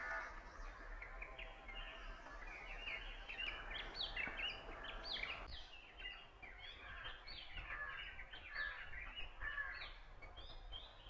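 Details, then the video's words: Oriental magpie-robin singing at Punnad, Iritty, recorded on a Nikon Coolpix B600: a busy stream of short whistled and chirped notes at varied pitches, with light background noise. "Oriental magpie robin singing beautiful song | Indian magpie Robin singing sound and call"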